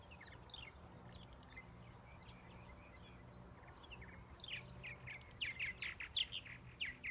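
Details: Purple martin song: quiet, sparse chirps at first, then a louder run of rapid gurgling, chirping notes in the final seconds, with a low hum underneath.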